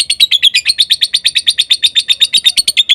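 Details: Lovebird chattering song used to provoke other lovebirds: brisk, buzzy, squeaky notes repeated about seven times a second with a faint high whistle.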